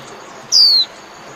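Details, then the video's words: White-eye singing to call its flock: one thin, high, clear whistled note sliding downward, about a third of a second long, over quiet background hiss. "Chim Vành Khuyên (Chim Khuyên) hót gọi bầy"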